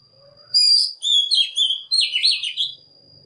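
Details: Oriental magpie-robin lure song for calling wild birds and teaching young birds to sing: after a faint low note, two loud phrases of clear, sweet, slurred whistles and twittering trills, over a faint constant high tone.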